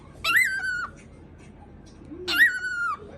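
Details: A pet cockatiel indoors that starts barking after imitating gargling: two loud, harsh calls that jump up sharply then hold a level, buzzy tone for about half a second, spaced two seconds apart.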